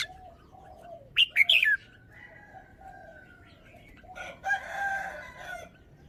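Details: Caged red-whiskered bulbul performing its song style: a loud clipped phrase of three or four fluty, slurred notes, followed by long droning tonal calls and a rough harmonic call from other birds in the background.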